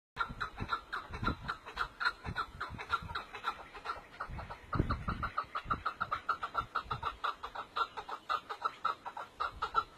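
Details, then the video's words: Partridge calling: a long steady series of short clucking notes, several per second, evenly repeated throughout, with low rumbling background noise. "صوت طائر الحجل الجميل"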